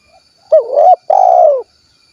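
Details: Tekukur (spotted dove), 'kuk 1' style, from Cilacap in Central Java, Indonesia, cooing once. A wobbling opening note leads into a long, full, gently descending second note, clear against a silent background.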